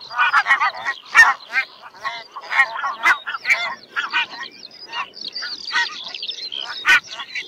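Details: Flock of barnacle geese in a continuous clamour of overlapping high yelps and short honks, busy and unbroken throughout.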